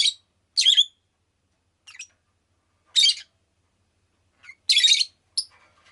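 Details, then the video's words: Pet rosy-faced lovebird giving scattered raspy chirps and squawks at irregular intervals, some loud and some softer, with one longer, noisy screech near the end. "Lovebird Chirping Sounds"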